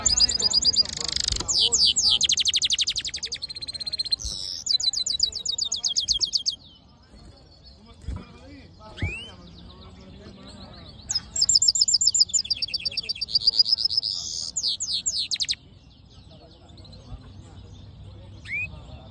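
A hooded siskin and canary hybrid sings bright, rapid twittering trills in long bursts.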